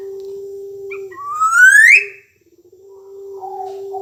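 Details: Black-naped oriole, noted as an energetic singer, utters a strong ascending slurred whistle with bright overtones. A short pause follows, then faint wavering notes, all over a persistent low steady tone.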